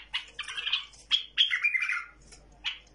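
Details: A tame bulbul gives rich, fluty warbling phrases with sliding whistled notes, broken by brief pauses and followed by a final sharp chirp.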